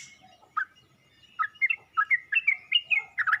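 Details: Yellow-vented bulbul calling to other bulbuls, opening with a lone chirp, then after a pause a fast string of liquid, warbling notes that bounce up and down in pitch.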